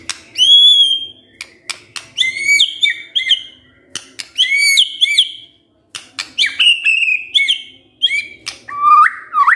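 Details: Lure recording of white-rumped shama song to make a lazy male sing. Scattered high whistles and bright chirps come in short bursts with gaps, ending on a rising whistled note.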